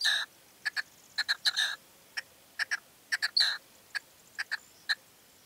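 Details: Male red-legged partridge calling in late evening light in Serena, Extremadura: harsh, chuffing notes in quick pairs and triplets, repeated about every half second to a second against a quiet background.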